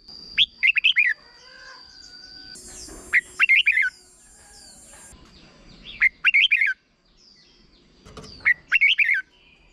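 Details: Red-whiskered bulbul short-song phrases, played so young birds copy them: four clear bursts of three to five lively whistled notes every two to three seconds, with a brief high buzzing tone and faint background noise.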